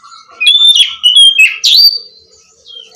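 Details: Oriental magpie-robin (kacer) singing, meant to prompt a silent bird to sing: loud clear whistled notes sliding and wavering, with a bright upward-swept phrase near the end.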